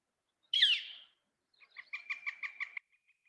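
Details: Northern flicker (Colaptes auratus) call: one harsh, high, down-slurred scream, then a quick run of about seven even, clipped notes at a brisk pace.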